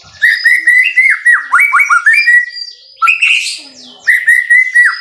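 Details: White-rumped shama in energetic masteran song: quick series of loud slurred whistles, each note dropping then rising, repeated rapidly, with a harsh scratchy burst midway before the whistled series resumes.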